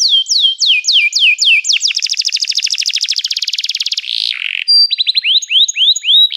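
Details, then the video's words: Canary song played to encourage a silent canary to sing: clear descending whistled notes, then a long fast rattling trill, a brief buzzy note, and more rising-falling whistles, clean and loud with no background. "canário parar de cantar? toque imediatamente este encantador som de canário"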